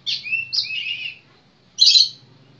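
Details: Magpie-robin (kacer) giving two drawn, slurred whistles followed by a loud harsh, scratchy note.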